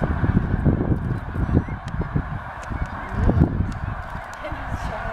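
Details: Snow geese in 2012 at Middle Creek Wildlife Management Area, Pennsylvania, moving from a feeding field to a nearby lake for the night. A dense, continuous chorus of overlapping honking calls, with heavy low rumble beneath.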